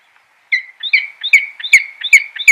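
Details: Peregrine falcon calling: a steady series of sharp, harsh notes with a ringing tone, about two and a half per second. Each note rises briefly then drops, over quiet background.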